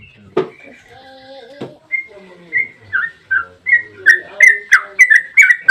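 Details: Yellow-vented bulbul 'ropel' song played as a lure for other bulbuls to sing: two sharp clicks and faint thin whistles, then spaced slurred notes that quicken and grow louder into a bright chattering series.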